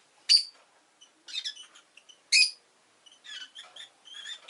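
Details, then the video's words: Pet rosy-faced lovebird chirping: sharp, harsh high chirps and shorter buzzy notes in quick bursts, with a softer warbling chatter toward the end; quiet room background. "Lovebird Chirping Sounds"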